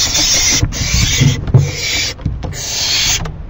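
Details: ['An owl given a rabbit as food late at night, 28 May 2012, shredding it at length: three long, harsh hissing bursts separated by short pauses, over low thumps and scraping from the feeding.']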